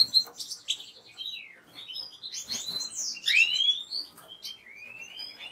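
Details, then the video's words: Kept European goldfinch in full song: a rapid jumble of tinkling chirps, slurred upward whistles and short buzzy notes, ending in a drawn-out rising whistle. "اجمل مقاطع طيور الحسون Les plus beaux clips Chardonneret"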